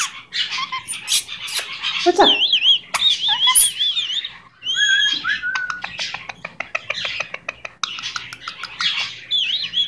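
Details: Pet Goldie's lorikeet chattering indoors: scratchy squawks, then wavering warbled whistles, a rapid clicking run and more thin trilled notes.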